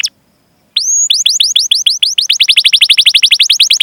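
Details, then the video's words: Canary training song, a long rolling 'cuit cuit' series meant to coax young, untrained or silent canaries into singing: one sweeping upward whistle, then rapid repeated rising chirps, about five per second, speeding up slightly, clean and loud. "Masteran Suara Burung Kenari Gacor Panjang cuit cuit Ngerol untuk Pancingan Kenari!"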